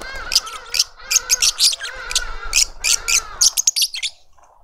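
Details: Lovebirds at a suburban Pretoria garden in South Africa, a family feeding its juvenile. Loud, rhythmic, shrill chirps repeat steadily for four seconds over a buzzy, nasal underlying whine, then end abruptly.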